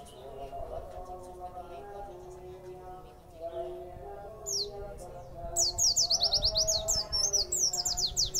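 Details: A white-eye (pleci), given food and extra food and then set to sing, bursts into fast, high, thin twittering with rapid rising and falling notes packed together. Low droning tones, perhaps a voice or household hum, run underneath.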